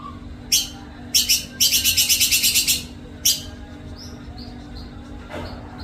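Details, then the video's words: White-rumped shama, its song said to be filled with cililin and kapas tembak material. Loud dry rattling bursts, one a rapid series of about ten harsh pulses, followed by faint soft whistled notes over a low hum. "MURAI MATERI MEWAH ISIAN CILILIN NYAMBUNG JENGGOT NYAMBUNG KAPAS TEMBAK"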